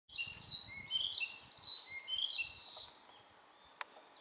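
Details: A Narcissus flycatcher perched on a power line on a dim, tree-lined mountain path on Mount Maya, 4 June 2017, sings a clear, high whistled phrase of a few sliding notes over about three seconds, with a faint click near the end.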